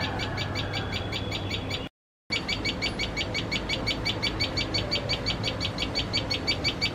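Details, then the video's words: Common tailorbird giving alarm calls while feeding chicks, afraid of cats: a steady series of short, sharp, high notes, about three each second, broken by one brief gap, over a noisy outdoor background. "Tailor bird fear cats.Makes lot of noise while feeding chicks."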